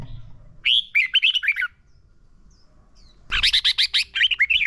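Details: Red-whiskered bulbul giving energetic contest song as a lure for training caged birds: two brisk phrases of rapid, bright, warbled whistles, the second louder and denser, with a pause between.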